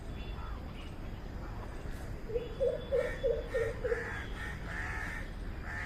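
A greater coucal gives a quick run of six deep, hollow 'coop' notes, about three per second, over a low steady rumble of background noise.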